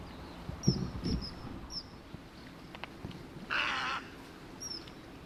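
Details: Common kingfisher living in a river that runs through a residential area, on a tributary of the Tama River in Tokyo, recorded 17 February 2018; thin, high, sharply falling whistled notes sound irregularly, with low thumps and a brief mid-pitched noisy burst.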